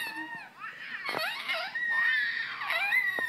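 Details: A male pet lorikeet wails in wavering, sobbing, infant-like cries that rise and fall, several in quick succession, indoors; a person's voice is faintly heard.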